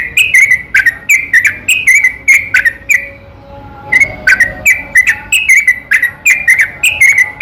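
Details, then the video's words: Yellow-vented bulbul singing at night in a long continuous lure sequence to stir other bulbuls; bubbly whistled phrases roll on, break for about a second of near quiet, then resume just as quickly. "burung trucukan seketika langsung nyaut dengar suara pancingan ini"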